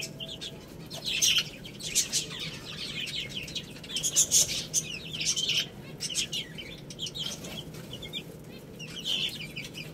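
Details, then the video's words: Small chicks at a meal of rice, producing bursts of high, rapid cheeping and clustered pecking clicks, with quieter stretches between the bursts. "Cute Little Chicks Eating Rice | Beautiful Chicks Chirping Sounds"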